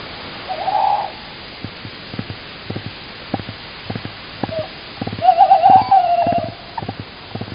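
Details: Tawny owl pair on 16 March 2019 in Estonia: the male calls outside and the female answers, giving a short hoot, then a longer wavering, quavering hoot, with soft knocks and taps scattered throughout.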